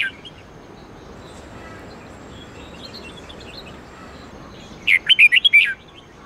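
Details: Red-whiskered bulbul song used for training caged birds to sing, a 8-9-10 note twisting style; one loud burst of about seven rapid warbled, whistled notes near the end after a long quiet stretch with faint distant chirps.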